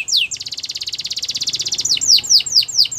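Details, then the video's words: Belgian canary in morning song: one falling sweep, then a long even rapid trill for about one and a half seconds, ending in a string of separate downslurred whistles. "Belgian canary singing every morning"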